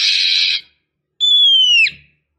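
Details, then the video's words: Female oriental magpie-robin calling to stir a male into song: one harsh, buzzy rasp followed by a long pure whistle that slides gently downward and drops sharply at the end. "Pancingan kacer betina"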